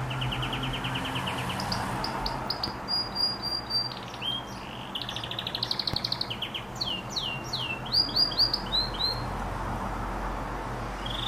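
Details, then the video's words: Male canary singing: a fast dry trill, then rising whistled notes, a buzzy rolling trill and quick upward-sweeping chirps in runs of several per second, over steady low background hum. "تغريد كناري طبيعي 2 Canary singing"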